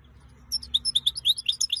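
A goldfinch-canary hybrid sings a fast burst of high, tinkling twitters and chirps, about eight notes a second, with only a faint low hum behind it.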